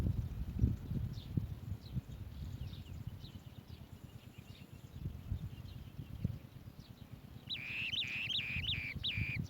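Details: Asian green bee-eaters at their nest bringing food to their young: faint high chirps, then a closing burst of rapid, trilled notes, over a steady low wind-like rumble.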